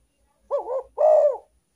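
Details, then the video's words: Spotted dove call used as a lure to attract wild doves: a two-part coo, a short wavering note followed by a longer, smoother, louder one, in clean quiet surroundings. "derkuku pikat paling ampuh"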